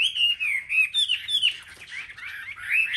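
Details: Competitive singing by caged Chinese hwamei among selected market-rack birds: clear descending whistles and looping slurs, a brief quieter pause, then rich warbling resumes.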